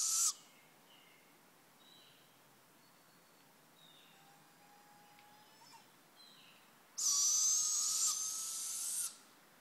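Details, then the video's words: Owl screeching in the quiet: a short rasping hiss is cut off at the start, then faint scattered chirps follow, and a long harsh screech of about two seconds comes near the end. "Owls Singing"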